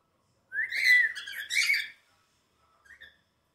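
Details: Pet cockatiel, described as jealous while interacting with its mother, indoors: a loud rising whistled screech with harsh buzzy overtones, two bursts over about a second and a half, then a faint short chirp.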